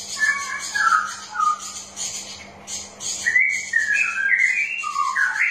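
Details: {'caption': 'Warbling song of a straw-headed bulbul, used as a lure for lazy, reluctant singers: liquid whistled phrases that dip and rise, a short pause, then a longer rolling run, over a faint steady hum and high chattering.'}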